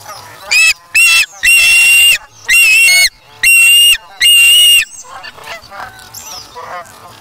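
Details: Osprey chick at the Charlo nest on August 3, 2017, taking fish from its parent: six sharp, harsh whistled squeals in quick succession, then quieter, fainter chirps as the calling fades out.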